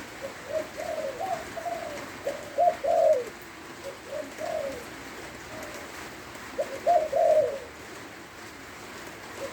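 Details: Spotted dove from Lopburi, Thailand, singing in the lui tan yon style during rain: low, soft coo phrases of several notes, repeated at intervals of a few seconds, over a steady hiss of rainfall.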